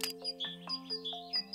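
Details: A great tit sings bright, alternating high and lower whistled notes, about two a second, over steady background music; such song defends territory and food supply against other birds.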